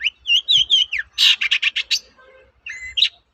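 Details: Long-tailed shrike singing as a lure for other shrikes: a wavering whistled phrase, then a loud run of about seven harsh, grating pulses, followed by a softer low tone and a closing chirp.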